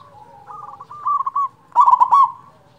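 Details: Zebra dove, a loud local bird for goading others to sing: a soft rolling trill, then a louder trill, and finally a strong bubbling coo phrase.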